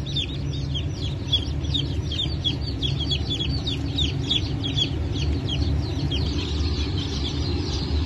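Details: Chicks of the Brahma, Phoenix, Sultan and Appenzeller breeds, newly hatched on 9 May 2024, give continuous piercing peeps in quick succession, many birds overlapping, with a loud low mechanical hum underneath.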